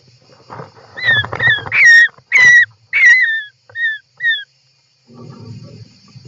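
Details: European roller inside its nest, filmed by an interior nest camera on 18 July 2024: a quick cluster of short downslurred whistled notes with faint overtones, then soft rustling and shuffling in the nest.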